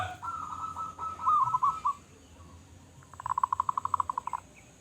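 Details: Local zebra dove with a big voice: a soft wavering coo over steady background hiss, then a rapid run of about fifteen evenly spaced, clipped cooing notes near the end.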